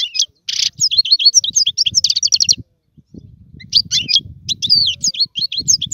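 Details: European goldfinch singing to teach young birds: tinkling, chattering phrases with a nasal buzzy note and rapid trills, one pause midway, over a faint low rumble.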